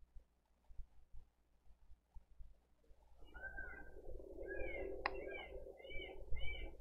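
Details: Begging bald eagle chick asking for food on its nest, Dade County, 20 April 2023, nest camera: quiet rumbling at first, then from the third second a burst of shrill, slightly wavering cheeps repeated rapidly.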